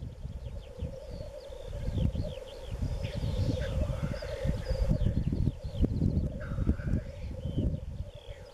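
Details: Black grouse (Tetrao tetrix) lekking in spring in east Wales, March 2016, with females present. A continuous low bubbling chorus runs throughout, with scattered higher whistled notes above and heavy low rumbling noise underneath.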